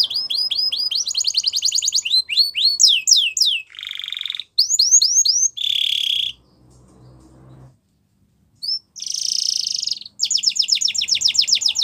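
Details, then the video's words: Canary singing a varied song of rapid repeated down-slurred whistled notes, buzzy trills and rolling tours at high pitch, broken by brief pauses; played to stimulate quiet canaries to sing again. "Your Canary Is Quiet ? Will Sing Again After Listening To This"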